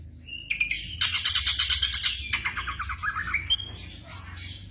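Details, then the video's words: Black drongo song meant for night-time training of caged birds: a brief clear whistle, then a long stream of rapid, buzzy chattering notes that slide lower, ending in a few scattered whistled notes. "TERAPI SRIGUNTING MALAM HARI vol.02"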